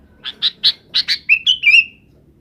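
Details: A sooty-headed bulbul calls companions to roost in the afternoon, giving five husky chips that run into three clear, slightly falling whistled notes.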